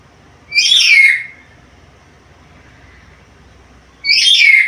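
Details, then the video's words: Black-capped lory, described as very vocal and able to talk, utters two loud, harsh, downward-sliding screeches about three seconds apart, with quiet between them. "MASTERAN BURUNG NURI KEPALA HITAM GACOR BISA NGOMONG SUARA BERVARIASI"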